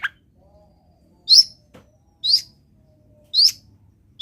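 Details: Long-tailed shrike, a song full of imitated wild-bird notes: short sharp high chirps spaced about one second apart, each a brief bright burst, in an otherwise quiet background.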